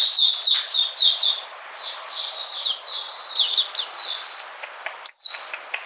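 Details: Oriental magpie-robin song recorded in cold rainy weather, June 2020: bursts of high, sliding whistled notes that fade after the first second into softer, broken phrases, then a sharp rising note near the end.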